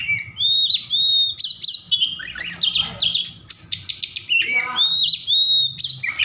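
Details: Highly agitated Oriental magpie-robin, song meant to provoke other magpie-robins to sing: loud repeated whistled figures mixed with harsh buzzy bursts and a rasping descending note.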